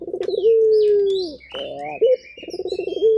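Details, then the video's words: Turtle dove of a local puter strain cooing with long, gently falling low tones after pulsed starts, joined by busy high-pitched twittering and chirps from other small birds. "Burung Puter Gacor"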